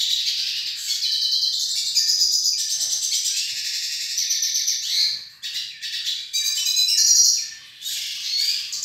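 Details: Hooded siskin pair from Brazil's Northeast, kept in a cage, with one delivering a long, rapid, high-pitched twittering song of trills, buzzy notes and sharp chips, nearly continuous for nine seconds.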